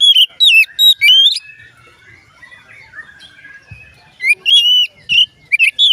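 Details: Oriental magpie-robin singing, its song said to make other magpie-robins start singing too; loud whistled phrases at the start and again near the end, separated by a quieter stretch of faint twittering.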